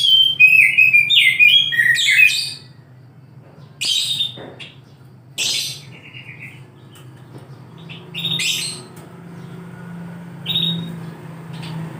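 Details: Oriental magpie-robin singing in the morning: a rich burst of varied whistled and chirping phrases for over two seconds, then scattered short bright notes and brief buzzy bursts separated by pauses, over a steady low hum.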